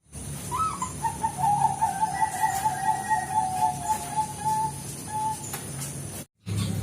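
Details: Zebra dove of the Bangkok type (perkutut Bangkok) used as a lure sound: a run of quick, clipped cooing notes at an even pitch, following a brief rising note, with a steady low hum beneath.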